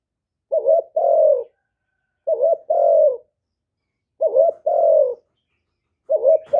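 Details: Spotted dove calling to lure wild doves and spur caged birds: four deep, throaty coos, each a brief lead-in note followed by a fuller drawn-out coo, spaced about every two seconds with silence between.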